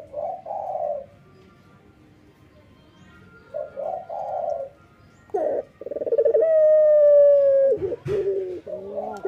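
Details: Male local ringneck dove singing vigorously in the morning: low, soft, rounded coos in short bursts, pausing between phrases, followed by a long steady tonal note and more cooing, with a faint sustained higher tone in the background.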